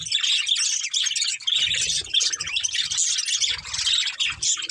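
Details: Breeding pair of budgies giving unbroken high chatter, scratchy warbles and quick chirps packed together, with low soft bumps in the second half.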